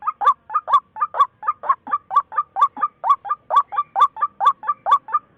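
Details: Brisk, harsh two-syllable calls from a white-breasted waterhen, loud and regularly repeated, forming a continuous rhythmic chant in a quiet setting.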